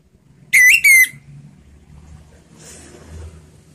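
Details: Orange-headed thrush in slow ngeplong song style, used as a lure to prompt other birds to sing: two loud clear whistled notes with slight upward inflection, then quiet background hum and faint distant rustle.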